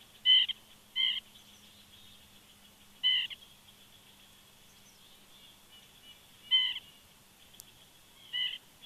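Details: A woodpecker close to an eagle nest at Big Bear, 14 September 2019, in the morning, gives five sharp, high, squeaky calls at uneven gaps, sometimes paired, over a faint steady hum.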